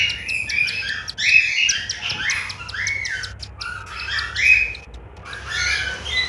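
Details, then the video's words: Young cockatiels in a nest in Juazeiro do Norte, Ceará, Brazil, giving harsh, buzzy squawking chirps, arched and slurred, in quick overlapping bursts with brief pauses between them. "FILHOTES DE CALOPSITA EM JUAZEIRO DO NORTE - CEARÁ"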